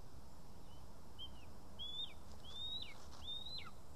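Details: At a nest in Estonia, 2 August 2020, a lesser spotted eagle fed with voles gives a few high, drawn-out whistles that climb and then fall steeply at the end, growing louder over four seconds.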